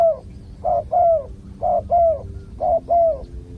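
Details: Spotted dove, a wild bird lured with a decoy, calling loudly. Mellow, low coos come in pairs and triplets, a short note then a longer slurred one, over a faint low hum.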